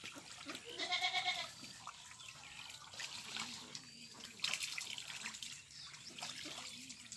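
A single nasal, buzzy duck quack sounds near the start, then soft splashing water and scattered faint calls fill the rest.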